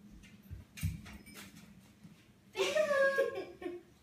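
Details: African grey parrot playing peek-a-boo indoors: quiet murmuring and soft knocks, then one loud, nasal, harmonic-rich vocal burst lasting about a second, rising then wavering, with a brief human remark before it.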